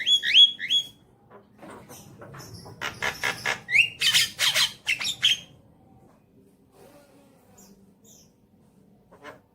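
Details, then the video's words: Javan myna song used as a lure for a pet bird to sing; sharp whistled hooks at the start, followed by a run of harsh, noisy rasping squawks, then mostly quiet. "Pancingan Jalak Kebo Agar Bunyi"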